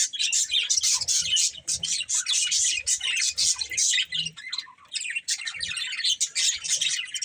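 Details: Budgerigars, a breeding pair, keeping up fast, scratchy chirping and squawky chatter throughout, in closely spaced bursts.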